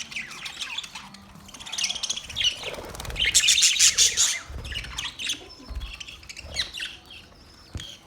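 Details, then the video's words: Budgerigars twitter in bursts, the busiest chirping in the middle, then scattered sharp notes trailing off over a faint low background hum. "Budgies chirping sound"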